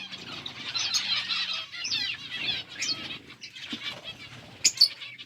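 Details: Quiet, steady warbling and rasping chatter from eating budgies, with a couple of sharp, high clicks near the end.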